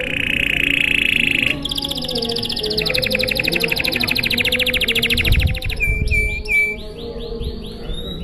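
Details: Canary singing a long, lively song in a showy style, meant to prompt other canaries to sing: fast buzzy trills, then rapid repeated notes, ending in clear whistled upslurs, over a faint low background hum.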